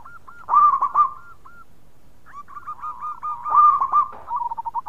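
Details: Local zebra dove singing loudly with other doves answering: a series of short hooked cooing notes leading into loud, rolling triple coos, repeated after a pause, with mellow tones at a steady pitch.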